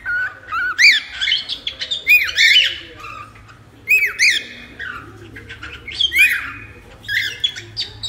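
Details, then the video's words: Cockatiel sounds meant to tame a cockatiel, clusters of arched, squawky whistled calls in bursts about every one to two seconds, with brief pauses between groups. "AMANSAR CALOPSITA EM 10 MINUTOS!"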